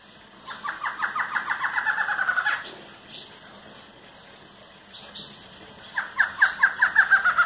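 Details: Barred antshrike delivering an accelerating string of nasal, slurred notes ending in an emphatic upslurred note. A few faint chips sound in the pause before another fast series starts.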